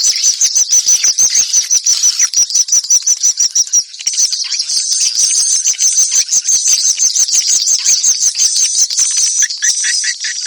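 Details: Swallow call, a dense stream of high, sharp chirps repeated about three times a second, with a shimmering twitter running continuously underneath and no other clear sounds.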